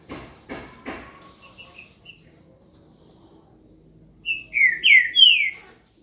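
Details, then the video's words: Green-winged saltator (trinca-ferro) singing a boiadeiro-type song: a short run of loud, rich whistled notes that slur down and up, after a few faint high notes and some knocking sounds; a bird described as singing a lot. "Trinca Ferro, Boiadeiro"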